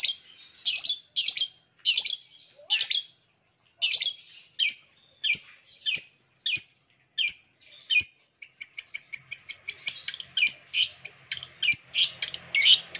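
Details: Long-tailed shrike song used to prompt caged birds that have stopped singing: harsh scratchy phrases repeated at steady intervals, then a fast run of sharp, clipped chattering notes.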